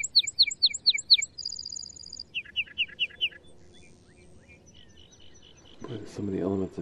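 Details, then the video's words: Lark bunting (Calamospiza melanocorys) singing a varied song: a series of sharp, slurred notes, a fast, even trill, more repeated descending notes, then faint chips, followed by a person speaking. "Lark Bunting Calamospiza melanocorys Singing"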